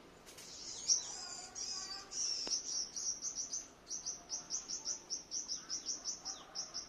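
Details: White-bellied five-coloured sunbird decoy in Quảng Ngãi, Vietnam, exercised on the morning of 21 May 2020, singing a thin, very high buzzy warble that breaks into an even series of rapid ticking notes, about three per second.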